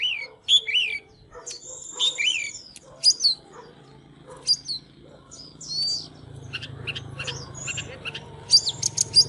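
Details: {'caption': 'Oriental magpie-robin, fired up while singing and dancing, gives high whistled notes and slurred phrases with scratchy twitters, loose and varied, ending in quick sharp repeated notes, with a faint low rumble in the background.'}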